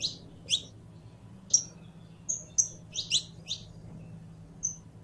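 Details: Saffron finch, known locally as canario criollo, singing: sharp high chirps and short thin whistles spaced irregularly, about one phrase per second, with a faint low hum beneath.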